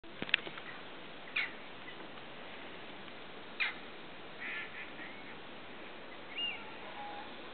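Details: Eurasian oystercatcher pair with three chicks on the rushy lake at Slimbridge Wetland Centre, Gloucestershire; a few short sharp piping notes spaced apart, with one softer slurred whistle near the end.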